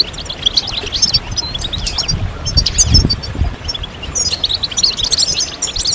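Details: European goldfinches chorusing, mating and readiness calls said to make silent males start singing. High tinkling twitters come in bursts at start and end, with a low rumbling noise mid-way.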